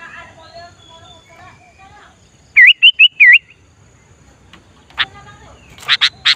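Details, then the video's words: Chattering sooty-headed bulbul used as a lure for wild bulbuls during trapping practice. A rolling phrase of four looping whistled notes, followed by a few harsh scratchy bursts, with soft murmuring earlier. "Kutilang Gacor Memancing Kutilang Liar"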